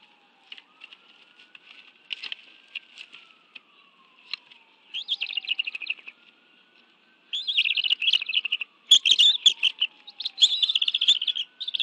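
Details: Bald eagles sharing a fish meal at their Washington, D.C. nest, 11 June 2017: scattered faint chirps at first, then from the middle onward loud, dense bursts of high chattering calls, over a faint rising and falling siren.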